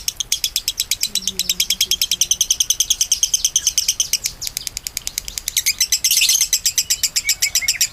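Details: Lovebird singing in the konslet style, a long-running song offered as master material for training songbirds: fast, sharp, buzzy chirps repeated about six times a second in an unbroken chain, briefly growing harsher and denser near the end.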